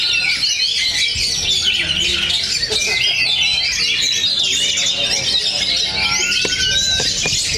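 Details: Caged Oriental magpie-robins competing in a singing contest at Cikeas: many loud, high warbling songs overlap continuously, full of sweet whistles and quick trills, with a long rising whistle near the end and faint murmuring voices.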